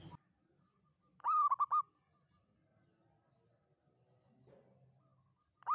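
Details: Local zebra dove lure song used for trapping, long 'kuk 7' style: one brief phrase of an opening coo followed by quick clipped kuk notes, set in a quiet background with a faint low hum.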